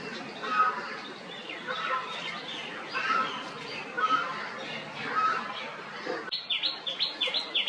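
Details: A Brahminy starling lining its nest with neem leaves gives harsh, chattering phrases about once a second, ending in a quick run of higher, rising squeaky notes over a noisy background.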